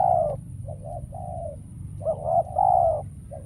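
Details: Decoy spotted dove calling while trapping: short bursts of mellow coos, a soft drawn-out note, then a louder wavering coo sequence, over steady low background rumble.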